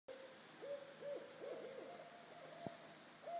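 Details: Two owls calling together: a series of short, mid-pitched hoots that rise and fall, overlapping in quick succession, over a steady high insect drone.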